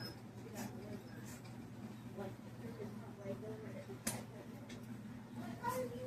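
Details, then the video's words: A green talking Monk parakeet (Quaker parrot) at a pet store talks in low, throaty, speech-like phrases with a few brief squeaky notes, over a steady indoor hum and occasional clicks. "Talking Green Quaker 🦜 Parrot"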